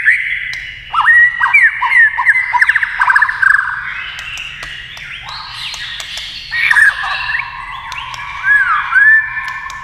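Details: A white-rumped shama sings against a TV, tail flicking and beak moving fast. Rapid varied phrases of chattering whistles and slurred notes come in bursts, with crisp clicks and pauses between them.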